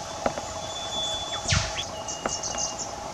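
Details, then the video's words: Australian whipbird calling to another bird in bush undergrowth: a high whistle breaks into a loud whip-crack, quickly followed by a few short sharp notes, then another thin whistle, with clicks and a low hum behind. "WHIPBIRDS - 'Cracking the Whip'"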